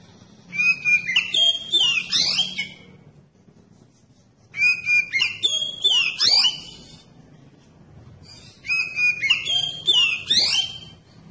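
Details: Magpie-robin (kacer) song used to provoke others of its kind to sing: three near-identical phrases of clear whistled notes, downward sweeps and buzzy trills, repeated about every four seconds with quiet between.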